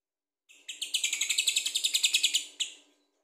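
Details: Lovebird giving a lively ngekek-style chatter, used as a lure to prompt other birds to sing: a burst of rapid, shrill, scratchy notes repeated about seven times per second for two seconds, then one final squeak, with no other sounds.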